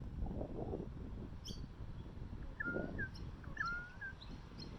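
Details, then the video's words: A currawong approaches looking for food, giving soft, short whistled notes that slide down and then level off. They come in two little bursts about a second apart over a quiet background rumble with faint high ticks. "Currawong approaches looking for food and makes a cute noise"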